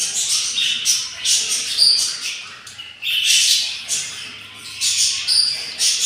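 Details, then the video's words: Yellow budgerigar nestlings, day 7 after hatching from four eggs, beg hungrily with harsh, breathy rasps in short bursts, some with a brief squeaky edge. "yellow budgies take caire of their nest and hatching 4 eggs and they are very hungry"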